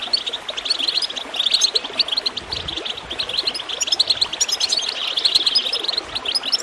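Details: Goldfinch song recorded to encourage other birds to sing: a dense, fast twittering of high chirps and trills with no pause, over a steady background of gurgling water.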